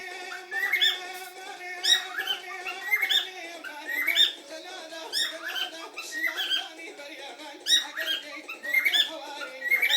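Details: A cockatiel in Kurdistan gives bright, repeated chirping whistles, about one each second, over a low steady hum.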